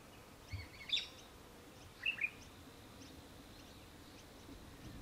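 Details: Australian hobby (Falco longipennis) recorded in Victoria, Australia, in December 2023: two short bursts of sharp, high chattering notes about a second apart, over a faint background of distant chirping birds.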